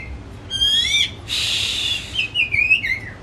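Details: Home-kept caged white-rumped shama, its song meant to lure a quiet shama into singing: clear rich whistles with harmonics, a harsh buzzy burst, then fluid falling whistled phrases.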